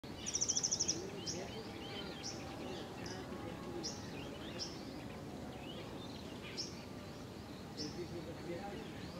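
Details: Oriental magpie-robin (Copsychus s. saularis) song, Keoladeo Ghana National Park, India, November 2023: a bright, rapid high trill, then scattered sweet whistled notes at irregular intervals over steady background hiss and murmur.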